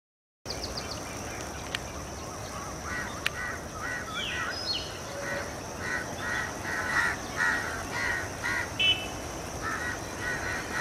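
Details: House crows of subspecies protegatus gathering at a dusk roost in Colombo, Sri Lanka, 28 February 2014: many harsh, nasal caws overlapping in a dense chorus, with a steady high hiss and traffic noise beneath.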